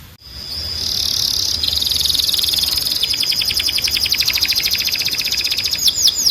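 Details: Timbrado canary for training canaries to sing: a long steady buzzing tone that turns into a quick rolling trill of repeated notes, closing with a few curved whistles, amid some background hiss.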